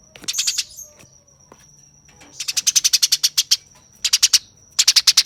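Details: Eurasian tree sparrow fighting, with a short scratchy burst followed by longer runs of fast, harsh, closely spaced chips over a thin continuous high tone.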